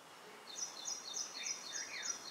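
White-throated kingfisher giving a rapid, high, shrill chattering trill of fast repeated notes, with a few lower rising chirps alongside and faint background hiss.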